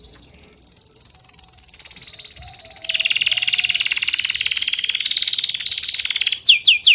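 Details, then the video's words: Loud, continuous bird chirping. A high pulsed trill turns harsher and buzzier midway and finishes with a few sharp downward-swept notes. "The sound of birds chirping soothes the soul"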